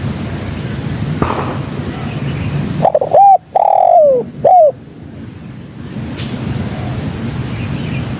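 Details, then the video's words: Spotted dove lure call meant to draw in other doves: a brief burst of three mellow coos, short then long and falling then short, in the middle of steady low rumbling background noise. "Suara Burung Pikat Tekukur Paling Ampuh Untuk Masteran dan Pikat Memanggil Kawan"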